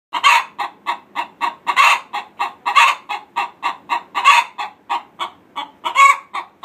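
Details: Domestic hens singing the egg song, a laying call given before, during or after laying, here a couple of days before a red hen's first egg, other chickens joining in: loud rhythmic clucks, about four a second, with stronger squawks at intervals.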